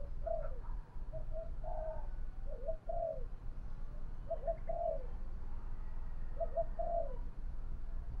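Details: Decoy spotted dove, 'thổ bầu' voice style, cooing to provoke fighting: soft three-note coo phrases repeated about every two seconds, partly buried under steady low rumbling noise.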